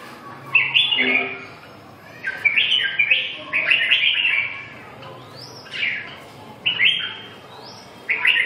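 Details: Red-whiskered bulbul singing short, bubbly warbled phrases of about one second, separated by brief pauses, with rising whistled slurs near the end; faint background hiss.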